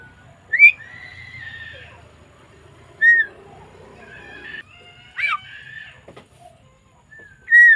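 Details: Javan myna recorded on 20 May 2024: loud, clear whistled notes that slur up and down at about 0.6, 3, 5.3 and 7.7 seconds, with buzzy, harmonic rasping phrases between them and a quiet background.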